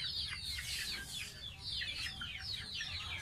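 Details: Young domestic goose kept as a pet, calling while bathing: dense, fast series of high whistled peeps sliding downward, repeated almost without pause, with low water noise underneath.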